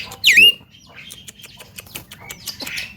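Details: A Javan myna, known for copying sounds, lets out one loud brief squawk that swoops down then levels off, followed by quiet scattered clicks and soft notes.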